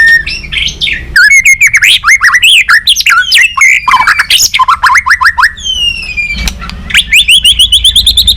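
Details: Murai batu, the white-rumped shama, in a balak 6 lure recording for catching birds: a dense, fast, varied run of high whistled and chattering notes, slurred up and down, with brief pauses and a final series of rising whistles.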